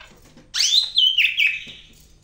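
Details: Greater green leafbird from Medan giving one loud, rich whistled phrase that rises, then steps down in wavering slurred notes over about one second.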